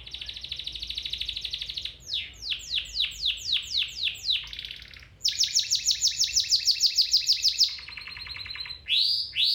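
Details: Domestic canary song used as training for a canary: a sustained high rattling trill, a series of steep downward-sweeping notes, a long loud rapid roll, then a lower buzzy trill and rising whistles.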